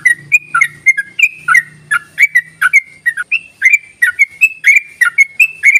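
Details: Lure calls of a yellow-vented bulbul meant to spur silent bulbuls into song: a lively run of short whistled and gurgling notes, several per second, with a faint low hum that fades halfway through.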